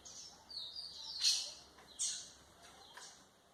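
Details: White-throated seedeater song used to train young birds: a few high, clear chirps and buzzy bursts in under four seconds over low hiss.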